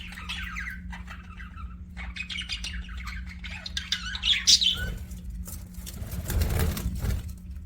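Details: Budgerigar chirping: rapid, continuous warbling chatter of buzzy twitters and short squawks, rising into a louder burst midway, with a steady low electrical hum beneath and a rumbling noise toward the end.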